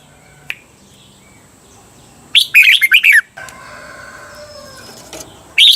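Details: Red-whiskered bulbul song used to train cage birds in Thailand in the doubled 'beun' style: a single rapid phrase of chirpy, warbled notes after a sharp click, then a soft hiss and the start of another phrase.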